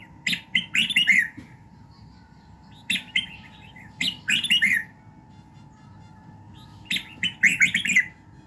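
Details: Morning song of a red-whiskered bulbul, meant to fire up birds during voice training: three separate phrases of sharp chirps running into a bright warble, each followed by a pause of about two seconds.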